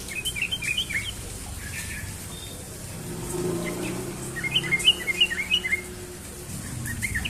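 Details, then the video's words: Sooty-headed bulbul delivering ropel-style morning song: quick clusters of sharp, bright whistles, a quieter gap with a low rumbling hum, then another fast burst of slurred notes and a final short phrase. "burung trucukan ropel pagi"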